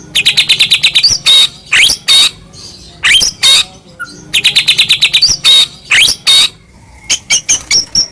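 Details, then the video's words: Caged white-rumped shama, the Medan type, singing loudly as a lure to make other shamas sing and grow agitated: rapid trains of sharp repeated high notes alternate with bold rising whistles and buzzy sweeps, in bursts with short pauses. "murai batu gacor AMPUH buat PANCINGAN murai batu agar bunyi JADIKAN burung murai gacor EMOSI"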